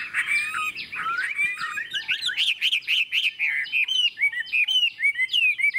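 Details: Chinese hwamei singing a long ngũ trường phrase in a wild forest voice: bright, repeated whistled notes with quick up-and-down inflections, steady and rhythmic, over a faint rustling background.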